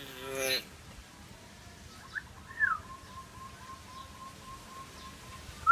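A hill myna opens with a short, voice-like harmonic phrase, then gives a few sharp chirps and a long, steady, mid-pitched whistled tone.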